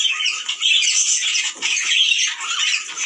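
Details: Budgerigars giving a mating call said to stimulate males and females to breed: dense, busy warbling chatter of many birds, with overlapping chirps, squawks and quick whistled notes running without pause for three seconds.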